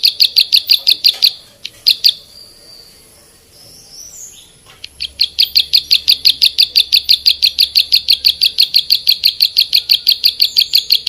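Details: Bar-winged prinia song for songbird training: bursts of fast, piercing chirps, a pause with a couple of thin squeaky notes, then a long steady train of sharp high notes around three per second.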